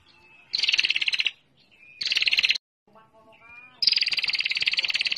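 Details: Female bar-winged prinia giving a ngetir-style lure call: three bursts of rapid, evenly pulsed, buzzy high notes, the last longest at about a second and a half, with brief quieter chirps between bursts.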